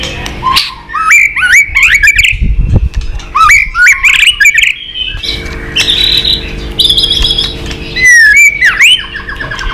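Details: Fighting song of a white-rumped shama, tail-flicking to provoke a rival: loud whistled phrases rising in steps, interspersed with harsh buzzy notes and crisp chirps, with a low hum in the background.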